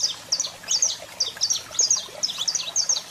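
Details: Saffron finch, male in full song while a female calls: bright, high chirps delivered in quick pairs and triplets, several per second, continuous throughout, with a low hum underneath.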